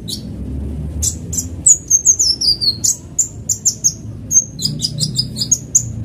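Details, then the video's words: Van Hasselt's sunbird, fast lure sound: sharp, very high thin notes and short descending slurred whistles in quick bursts after a second of quiet, with a low steady hum underneath. "pancingan kolibri ninja cepat bunyi"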